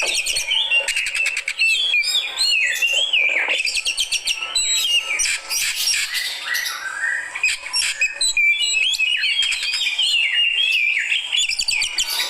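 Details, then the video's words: Oriental magpie-robin, fighter type, reacting to another bird with a dense, continuous song of varied whistles, rapid trills and upward-sliding notes, interspersed with harsh squawky bursts. "Reaksi Burung Kacer Fighter"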